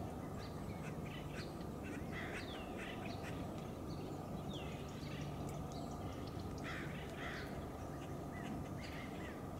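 Acorn woodpeckers give harsh, nasal calls in scattered bursts, some rising and falling, over a steady low rumble of wind.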